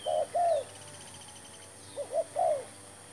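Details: During an attempt to trap spotted doves with a fresh decoy bird, a dove gives two round coos, a quiet gap, then a three-part phrase of a short note, another short note and a longer, drawn-out coo.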